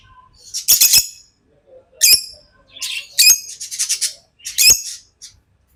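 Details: Tame lovebirds giving loud, harsh, high-pitched chirps in short bursts, some doubled, separated by brief gaps, with a quick chattering cluster near the middle.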